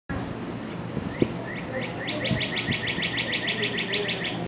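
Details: Northern cardinal singing outside a balcony: a few spaced, downslurred whistles that quicken into a fast, even run of clear notes, over a steady thin high-pitched hum.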